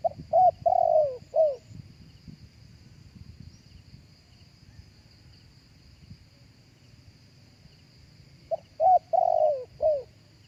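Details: Spotted dove giving live cooing for use as a speaker lure: two phrases of rolling coos, each ending in a longer note sliding downward, with a quiet gap between and a steady high hum throughout.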